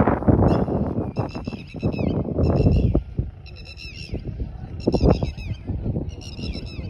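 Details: A Red-wattled Lapwing (Tatiri) calls on an evening in Bahria Town, Karachi: bursts of sharp, strident, high notes every second or so, over loud low rumbling background noise.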